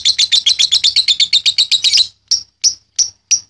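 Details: Lovebird song used to train other birds, a rapid series of high shrill chirps about four per second for two seconds, then five separate sharp chirps spaced evenly apart.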